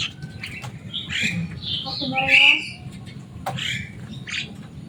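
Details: Javan myna, a kept bird described as loud and noisy and able to mimic human speech, giving harsh squawks and a short run of stacked, nasal notes. Brief whistled chirps are scattered around them.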